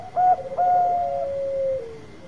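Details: Bangkok-type zebra dove lure phrase: two short coos, a brief level note, then a long smooth purring trill easing downward and fading; faint steady hum.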